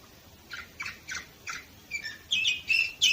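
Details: Singing canary, Varna, Bulgaria, 2018: soft scratchy chirps spaced about every third of a second, growing louder into sharper rising whistled notes near the end over faint low background hiss.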